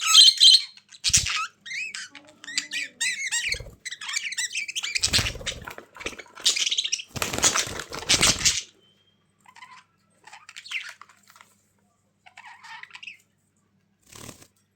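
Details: Captive budgerigars chatter in rapid chirps, with bursts of wing flapping, then the calls fade to sparse, quiet chirps near the end.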